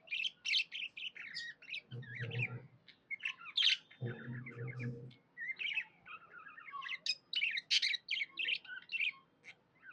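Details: Pet budgerigar chattering happily with busy bursts of warbled chirps and tweets, twice overlaid by a short low rumbling sound.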